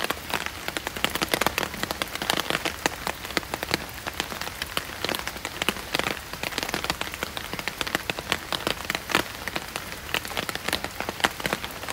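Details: Steady rain pattering on a hard surface, with no animal voices heard.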